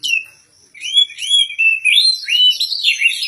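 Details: Kacer (oriental magpie-robin) in contest form, singing ngobra style with good material. After one descending whistle and a pause, a loud run of rising, looping whistles and warbles follows without a break.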